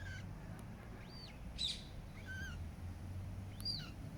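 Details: Eurasian coot family with chicks in Regent's Park, London, in July 2024: a few high, thin, arched peeping notes, some slurred upward, spaced irregularly over a steady low rumble of city background noise.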